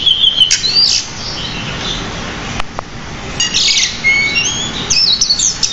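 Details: Masteran song of a decu, or pied bushchat, described as richly varied and energetic: short high whistles and rapid scratchy phrases with a quieter gap, then a thin pure whistle and renewed twittering.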